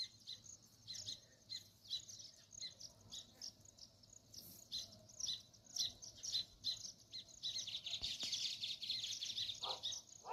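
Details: Sparrows give a busy series of high, sharp chirps and twittering notes, thickening into a dense chatter near the end, with a few lower squeaky notes and a soft knock.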